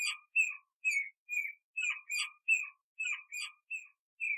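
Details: Repeated short whistles from a Canada jay, slurring downward, in twos and singles about every half second, with a soft buzzy lower layer; no other sounds.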